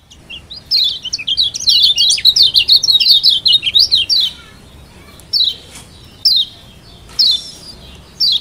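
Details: Lombok yellow white-eye, a kept bird, sings to spur a quiet bird on: a long, rushing string of high, zigzag twittering notes for three seconds, then scattered short downslurred chirps spaced by pauses.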